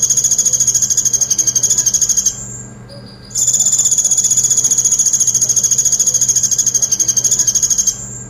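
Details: Sunbird in a 'tembakan pelatuk' (woodpecker-shot) song style: a very fast, high, buzzy trill of even pulses that runs about two seconds, stops briefly, then resumes for nearly five seconds with a faint low hum underneath.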